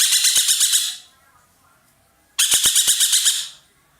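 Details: A roller, an Indonesian cage bird prized for its loud, strong voice, gives two pulsed, scratchy bursts about a second long. A few sharp clicks sound during the second burst.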